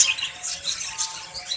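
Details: Budgerigars kept in cages in Pakistan in hot summer weather; softer continuous twittering and squeaky chirps from many birds blend into a steady high chatter.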